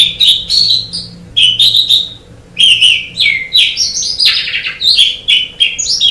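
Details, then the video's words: Asian pied starling song used as a master recording for training songbirds: loud varied whistled and chattering phrases around mid-high pitch, delivered in bursts with short pauses, quiet background. "Ocehan Suara Burung Jalak Suren"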